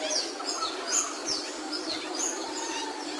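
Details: Capuchino seedeater song made of clear, very high whistled notes, several slurring downward, given in quick succession over a steady hissing background.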